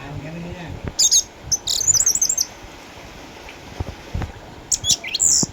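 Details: Caged orange-headed thrush in Sukabumi, Indonesia, eight years old with cataracts, retired from contests yet still singing keenly. Short, loud bursts of sharp, high twittering notes come in quick clusters, separated by brief quiet gaps over light background hiss.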